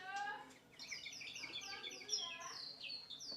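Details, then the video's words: Short stretch of white-rumped shama song for training other birds: a low harmonic note at first, then fast high whistled phrases and sweeping slurs with a sharp accent near the end. "masteran full burung murai batu"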